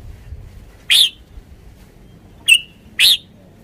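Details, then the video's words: Red-whiskered bulbul: three isolated, sharp, piercing chirps spaced over about two seconds against a quiet background. "นกกรงหัวจุก 482 จ้าวคำหมาน ริก ริก ริก คึก คึก คึก"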